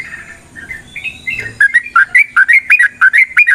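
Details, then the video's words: Yellow-vented bulbul giving long rolling fighting song to stir rivals: soft warbling starts it, then crisp bubbly two-part notes ring out rapidly and evenly, roughly three per second. "Suara Burung TRUCUKAN gacor TARUNG ROPEL PANJANG pancingan trucukan agar JADI trucuk gacor EMOSI"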